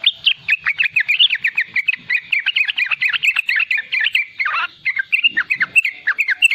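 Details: Riwikan song of a young, lively yellow-vented bulbul, played to draw out and train wild-caught and nestling bulbuls: a dense, unbroken stream of warbling, bouncing chirps with one short buzzy squeal midway.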